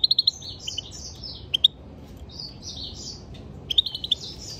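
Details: A European goldfinch sings a fast, liquid twitter, with quick clipped chirps opening the phrase, then rolling buzzy and tinkling slurred notes, ending in another burst of sharp chirps.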